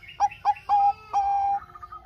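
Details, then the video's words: Bangkok zebra dove singing as a lure for reluctant doves: three clipped coos, the third drawn out, then a long even coo with a faint higher trill fading after it. "Pancingan Perkutut Bangkok Gacor - suara Kutut Bangkok Gacor ini paling AMPUH bikin Bunyi yang Malas"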